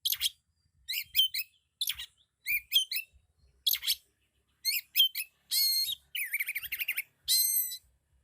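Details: Loud kacer (Oriental magpie-robin) song packed with 'isian' fill-ins: clipped high chirps repeated in quick pairs, giving way to buzzy, rasping trills and a clear upslurred whistle near the end.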